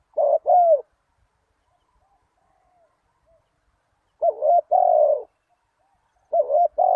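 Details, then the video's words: Spotted dove lure call for wild doves: three low two-part coos, the second part long and slightly falling, separated by a pause of several seconds. "Chim cu gáy chiêu kích mồi tập bổi nhanh nổi hiệu quả"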